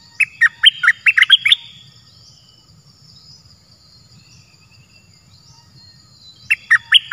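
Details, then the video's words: Cream-vented bulbul in the wild, possibly an escaped bird, responding to a caged decoy and avoiding the trap cage. A rapid burst of seven or eight liquid, wavering notes opens, then silence, then a second similar bubbly phrase begins. "Burung merbah lekir gacorbahanan"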